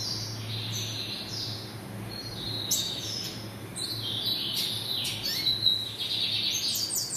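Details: A double-collared seedeater kept by a home breeder sings a quick run of high, twittering and sweeping notes in bursts, over a faint steady low hum.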